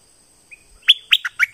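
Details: From southern Thailand, a streak-eared bulbul gives one thin whistled note, then four loud, rich chirps dropping in pitch in quick succession.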